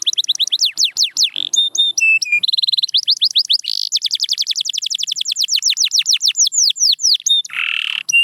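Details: Canary song used to coax quiet canaries into singing: long, high-pitched phrases of quick repeated downslurred notes, short steady whistles and rolling trills, ending with a harsh buzzy note.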